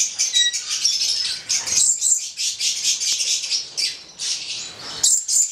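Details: Stella's lorikeets of the subspecies goliathina, a red male and black female pair, produce a near-continuous stream of shrill, grating screeches, loud and high-pitched throughout with only short breaks.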